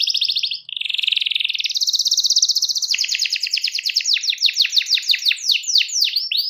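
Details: Canary song meant to call a rival: a buzzy roll, a sustained dense trill, then repeated chip notes that slow and become sharp downward sweeps toward the end.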